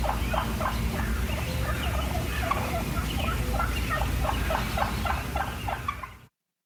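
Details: Wild turkey clucking, a sound of contentment as birds move around feeding in their flock: short, abrupt mid-pitched notes, about three per second, kept up steadily over a low background rumble.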